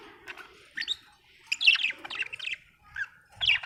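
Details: Chirping budgerigar, said to be happy, giving irregular squeaky chirps and a dense warbling phrase midway, then scattered single notes and a brief low knock at the end.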